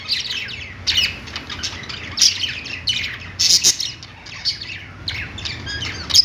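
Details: Pet-store budgies sing from a perch in choppy bursts of scratchy, high chirps separated by brief lulls of quieter twittering, with a low hum throughout.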